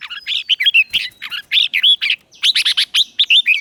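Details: Lure red-whiskered bulbul calling wild birds to compete: a lively, rapid chattering song of bright chirps and warbled slurs, two dense phrases with a brief break in the middle.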